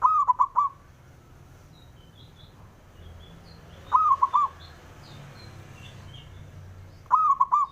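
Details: Local male zebra dove giving its provoking call to draw answering rivals: three bright three-note cooing bursts spaced roughly every 3.5 seconds, with faint high chirps of other small birds in between.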